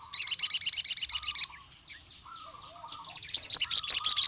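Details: Sogon, the Javan cuckoo-shrike, in full song to draw rival males: a fast, shrill pulsed trill, then a quieter stretch of low twittering, then another high rapid trill.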